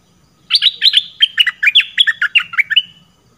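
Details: Red-whiskered bulbul lure call for trapping: a quick, jumbled string of about a dozen bright, scratchy chirps rising and falling, delivered in under three seconds.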